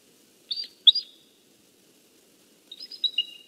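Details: A pair of eagles at their nest on the morning of 21 November 2015, communicating while sharing nest duties; two bursts of high, piping chirps, then a run of thin, falling whistled notes, clear over near silence.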